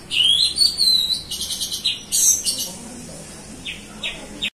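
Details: Lure whistles of a female orange-headed thrush: quick rising whistled notes and dense bright chirps at the start, fading to a few spaced, soft downward notes.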